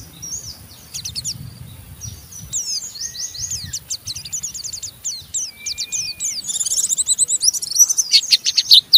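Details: Oriental white-eye (pleci) giving a rough ngeriwik chatter meant to stimulate other white-eyes to sing; dense high twittering notes, a long thin steady whistle near the middle, louder rapid buzzy bursts toward the end.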